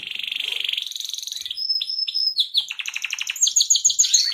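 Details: Canary song: a dense buzzy trill, then clear high whistled notes and quick rising chirps that speed into a bright rattling roll.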